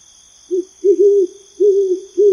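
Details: An owl gives low, soft hoots at night: a short note, then a paired hoot and two longer drawn-out ones, over a steady high insect-like drone.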